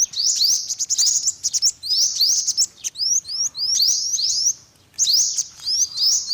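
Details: Olive-backed sunbird (yellow-bellied) giving high, thin chirps that sweep quickly upward, in rapid bursts separated by short pauses; no other clear sounds.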